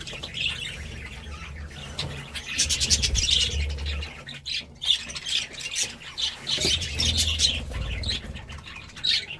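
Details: Budgerigars giving harsh squawks mixed with quick chirps and warbling chatter, irregular and bursty throughout, over a low background rumble.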